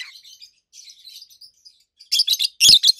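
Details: Pair of adult pet rosy-faced lovebirds, red-head green opaline and white-head pallid aqua opaline, giving loud high treble chirps: soft chattering first, then harsh piercing bursts and a very loud shriek near the end.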